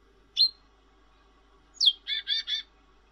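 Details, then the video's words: Cinereous tit, an actively singing bird praised as melodious and clear: a single sharp high downslurred note, a pause, then another downslur followed by three quick harsh, buzzy chattering notes. "Suara Glatik Wingko Merdu dan Bening"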